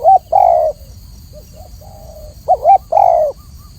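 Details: Spotted dove cooing: short rising-falling notes around the fundamental pitch, each followed by a longer steady coo, the phrase repeated twice, over a faint low background hum.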